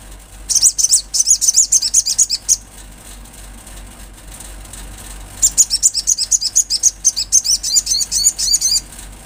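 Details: Olive-backed sunbird recorded in the wild: two long, fast trills of high, sharp, twittering notes, each lasting two to three seconds, separated by a pause of quiet background hiss.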